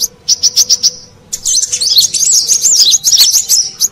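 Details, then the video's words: Brown-throated sunbird lure sound: a handful of evenly spaced short high chips, then a brighter, rapid twittering run of slurred whistled notes. "Suara Pikat Burung Kolibri Kelapa Manggar"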